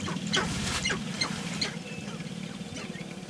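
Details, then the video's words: Sharp-tailed grouse at their mating dance in the early morning of May 5, 2019 give sharp, squeaky clucks and chirps over soft, quick pattering, possibly the rain that began, with a steady low rumble underneath. "Sharp Tailed Grouse Mating Dance"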